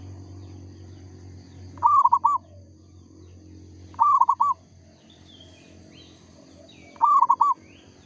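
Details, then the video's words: Singing local zebra dove: three short, stuttering cooing phrases spaced about two to three seconds apart, with low background hum and faint distant bird calls. "perkutut lokal gacor suara asli bikin ribut sekampung"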